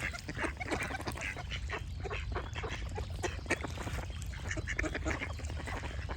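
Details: Overlapping nasal quacks from many ducks at once, loud and rapid, forming a busy clatter over a strong low rumble, with occasional thin bird chirps.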